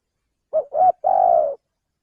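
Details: Spotted dove, a male from Indonesia, cooing for a trapping lure: short note, slightly longer rising note, then a sustained, gently pulsing hoot that fades at the end; no other sounds.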